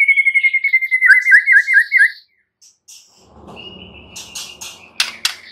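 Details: White-rumped shama delivering a rapid, rolling trilled whistle for two seconds, then a pause, a thin steady whistle and a few sharp clicks over faint background rustle.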